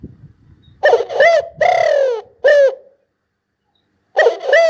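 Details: Loud spotted dove cooing: a stuttering pair of notes, a long drawn-out coo sliding downward, then a short clipped coo, with a fresh phrase starting after a pause.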